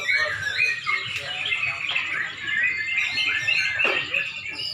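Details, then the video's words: Several sooty-headed bulbuls compete at a song contest in Pemalang, Indonesia, toward dusk, pouring out overlapping lively warbled and chirped phrases in a steady, crowded stream of bright notes. "LOMBA BURUNG TRUCUK DI PEMALANG | menjelang magrib"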